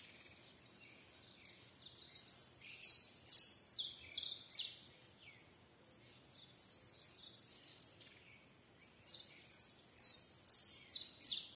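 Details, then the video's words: Canary singing a long, high run of rapid, bright notes and trills, grouped into phrases that swell and fade, with a short pause midway. The background is otherwise quiet. "The canary song!"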